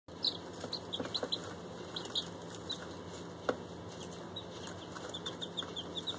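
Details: ['Day-old bantam chicks, a mixed batch of five Silkies and three fluffy bantams plus one week-old chick, newly brought home: faint, short high peeps scattered through the clip over a steady electrical hum and soft rustling.']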